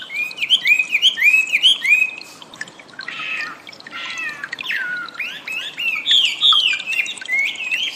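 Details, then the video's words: Wambi song from training audio for cage birds: quick repeated rising whistles, a rougher scratchy middle section, then more varied upslurred and downslurred whistles. "suara burung wambi || masteran audio pancingan"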